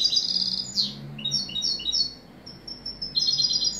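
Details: A European goldfinch sings high, liquid twittering phrases, with a sharp upward-sweeping note early on, a short lull, then a renewed burst of quick, chiming notes.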